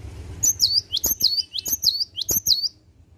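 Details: A cinereous tit sings at dawn hours: about five piercing, high, rising-falling double notes repeated rapidly over roughly two seconds, over a slight low rumble.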